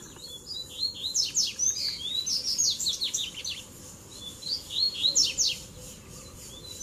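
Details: Double-collared seedeaters in a mixed ruckus of tui tui, zel zel and mateiro song styles, played to fire up other birds: rapid overlapping high whistles and sharp down-slurred chips in dense bursts, several birds at once.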